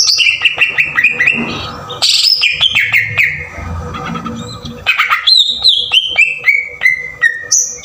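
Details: Rough-style green leafbird lure song used to excite other birds: clear descending whistled notes, then a harsh, noisy burst and a softer mumbled stretch, ending in a bright run of sharp whistles that step downward, all over a low electrical hum.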